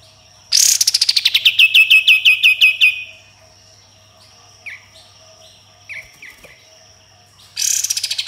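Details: Sooty-headed bulbul in vigorous tembakan song with harsh besetan: a dense rattling burst of about fifteen rapid notes that slides downward and steadies, followed by scattered soft chirps and a new burst starting at the end.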